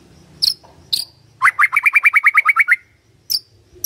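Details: White-rumped shama lure song for triggering a response from a quiet bird: a few sharp high chips, then a brisk even series of about a dozen ringing whistled notes, followed by more isolated chips.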